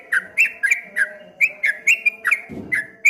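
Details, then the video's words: Trucuk kebo (streak-eared bulbul) song in ropel ngombak banyu style: clear, down-slurred whistled notes spaced about a quarter second apart, with a brief low thump partway through. "suara burung trucuk kebo bunyi ropel ngombak banyu"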